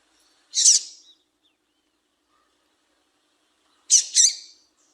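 A female Double-collared Seedeater gives two short, high, buzzy calls about three seconds apart. The second call is a quick double note, with silence around them.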